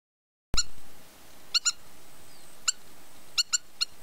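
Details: Spur-winged lapwing (Vanellus spinosus) at the Evros Delta, Greece, calling sharp, high, metallic notes, single or in quick pairs, every second or so, over a steady low rumble of wind.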